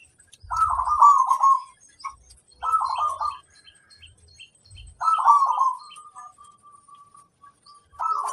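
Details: Local zebra dove (perkutut), used as a masteran lure to make other doves sing in reply: low, rolling, bubbling cooing phrases about a second long, repeated with pauses, one ending in a long thin trailing note; faint low thumps in the background.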